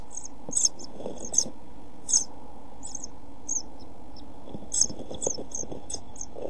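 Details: European pied flycatcher chicks in a nest box camera on 27 June 2013, during food shortage and heat, giving scattered high thin squeaks in small clusters, with soft rustling and a steady low hum inside the box.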